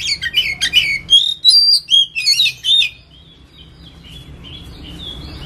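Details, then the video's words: Ngetem-style lure song of an oriental magpie-robin (kacer): about three seconds of fast varied whistles, chirps and short slurred phrases, then the bird falls silent, leaving only low background hum. "PANCINGAN BUNYI KACER NGETEM"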